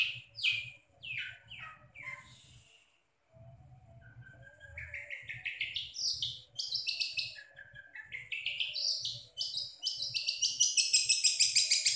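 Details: Long-tailed shrike running through its mimicked songs: a few falling chirps, a brief pause, then a climbing series of quick notes that build into a shrill, rapid, high trill, with a low hum behind.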